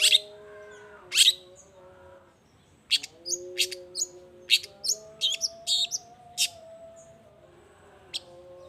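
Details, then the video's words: Scattered sharp, high chattering notes from a long-tailed shrike, used as a lure to prompt other shrikes to answer. Short bursts come in irregular clusters over a low steady hum, with quiet pauses between. "Cendet Gacor Efektif Pagi Siang Sore Rajanya Bikin Cendet Lainya Spontan Nyaut Bunyi Penuh Emosi"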